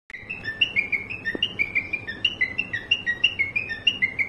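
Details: Pet cockatiel imitating a car horn: clear whistled notes alternating between two or three pitches, stepping up and down in a quick, bouncy series of about three notes per second, with faint background hiss.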